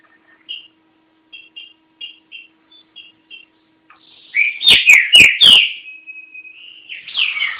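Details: Green-winged saltator, a kept bird from Garça, São Paulo, Brazil: faint short notes at first, then sharp knocking bursts and loud slurred whistles, ending in a sustained whistled tone and a rising phrase.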